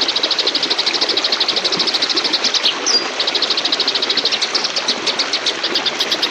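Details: Fighting oriental magpie-robin giving ngebrem, a training master song: rapid buzzy pulses at a high pitch run almost without pause, with a short downward whistle near the middle, all over a loud steady hiss of noise.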